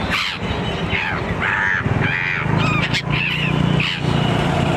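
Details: Gulls at Kalyan creek calling in a series of short, arched, harsh calls, several overlapping, over a steady low rumble of traffic and background noise.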